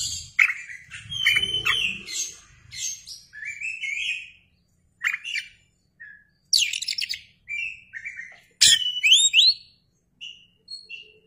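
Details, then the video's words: Oriental magpie-robin in full song, tail spread, played as a lure for other birds: rich mix of fast chirping trills, slurred whistles and sharp notes in bursts separated by short pauses. "KACER gacor ngeplay buka ekor"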